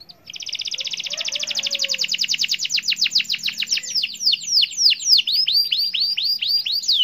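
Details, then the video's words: Singing canary, played to get other canaries singing: a long rapid rattling trill that gradually slows into separate swooping whistled notes, loud and clean. "Suara kenari gacor ampuh bikin kenari lain ikut gacor"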